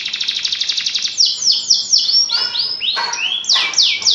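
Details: Energetic canary song used as a tutor recording: a rapid pulsed roll followed by a string of clear whistled notes sweeping down and then up, repeated several times a second.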